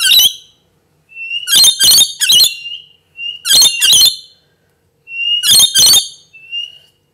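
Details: Lorikeet giving loud, harsh, grating screeches in tight bursts of two or three, each burst separated by about a second of silence, repeated through the recording; no other sounds are heard.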